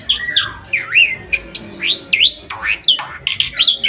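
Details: Bali myna singing while perched on its owner's hand in Bali, a varied run of loud whistles, squawks and sweeping slurred notes rising and falling, delivered in quick bursts with short gaps.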